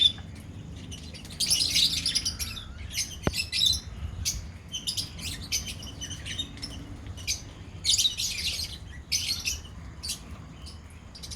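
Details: Lovebird colony heard in scattered clusters of piercing chirps and squeaks between quieter gaps, with one sharp knock and a steady low hum.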